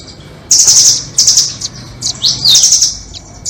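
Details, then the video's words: Birdcatchers' lure of red-billed and doraemon nuthatches: rapid stuttering high trills, three short bursts, then a fast upward slur leading into another bright rattling trill. "Pikat burung rambatan doraemon vs paruh merah"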